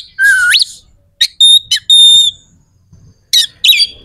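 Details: Oriental magpie-robin lure song, meant to make other magpie-robins answer and get ready to fight; a low whistle sweeping sharply upward, then steady high whistled notes and brief harsh chips.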